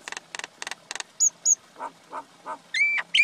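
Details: Common myna, male and female, in a varied call sequence: quick clicking rattles, two high thin whistles, low gurgling notes, then a sustained piercing whistle.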